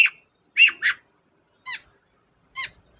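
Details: Chatty long-tailed shrike used as a lure for reluctant singers: a few short, nasal, squeaky rasping notes, one doubled, separated by brief silences.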